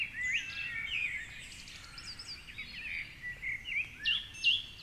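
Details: Dawn song from a song thrush high in a tall tree beside the Curragheen River, Cork City, Ireland, at 4.45am on a Sunday: soft, jumbled whistles and chirps, quieter and more distant, ending with a thin, clear note given twice.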